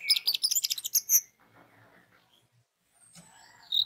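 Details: Orange-headed thrush song played as a lure to set other orange-headed thrushes singing: a second-long burst of rapid, high, chattering notes, then a faint quiet stretch and a thin, sliding whistle near the end.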